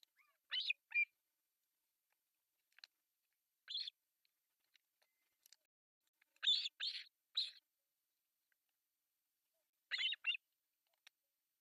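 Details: Osprey chicks, three young on a rebuilt artificial nest in northern Satakunta, Finland, begging during a breakfast feeding on July 1, 2024: high, scratchy chirps in scattered pairs and triplets with quiet gaps between bursts.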